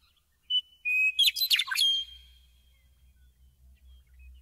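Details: Meadowlark song: two clear, slightly descending whistles, then a quick, tumbling warble of liquid notes that ends in a trailing whistle, with a low rumble in the background.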